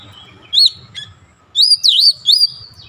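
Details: Kacer (Oriental magpie-robin) singing after prompting: a brief whistled upslur and a chip, then a loud warbled phrase of wavering, bending whistles. A low hum sits beneath.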